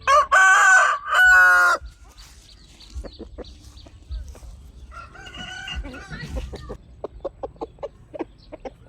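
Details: Chickens, with a loud rooster crow in two harsh, drawn-out bursts at the start, followed by scattered soft clucks and short tapping sounds.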